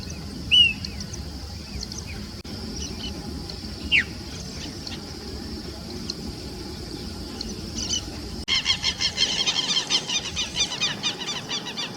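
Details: Plain-crested elaenia giving two short, sharp calls a few seconds apart against a steady hiss. Near the end a rapid, pulsing rattle of repeated notes sets in.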